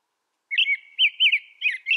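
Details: American robin recorded outdoors in North America, singing a run of clear, warbled whistled phrases that rise and fall, three or four notes per second, with no other sounds.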